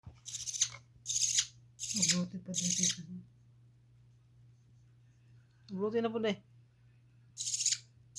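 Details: An 18-day-old budgerigar chick gives short, raspy, hissing chirps in quick bursts, with a low hum behind.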